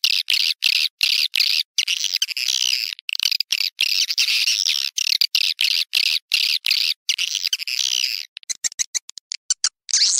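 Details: Swiftlets twittering in a steady, high, buzzy chatter broken by brief regular gaps, ending in a run of short clipped chirps.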